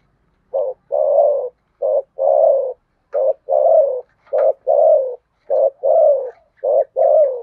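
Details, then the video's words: Spotted dove contest cooing, Sấm Thổ voice style: steady pairs of a short note and a longer falling coo, repeated about once a second, with faint higher chirps from another bird. "tiếng cu gáy thổ sấm/ chim cu gáy gù đấu và thúc bài bản giọng Sấm Thổ"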